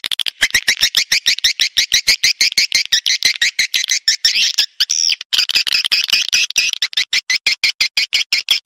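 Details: Edible-nest swiftlet lure sound for drawing birds into a private swiftlet house: rapid pulsed chirps, about three per second, each a short buzzy rising-falling note, with one longer twittering burst midway.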